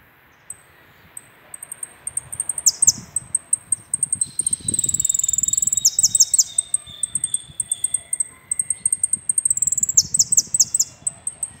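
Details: Full 'completo' song of a jilguero finch: a thin, very high sustained whistle broken by clusters of sharp falling notes every few seconds, plus a lower steady whistled tone midway and light tapping noise.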